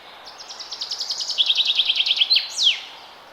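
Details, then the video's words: Early spring forest bird song: a single phrase of quick repeated chirps that swell in loudness, drop slightly in pitch, then finish with a loud, steeply falling whistled flourish, against faint background hiss. "Forest Bird Chirping Sound"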